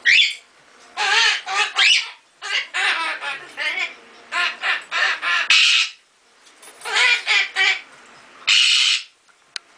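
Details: A male Goffin's cockatoo gives runs of short, nasal, duck-like quacking squawks in quick bursts with brief pauses; owner suspects he learned the duck-like sound from a baby Timneh African grey neighbour at the breeder's.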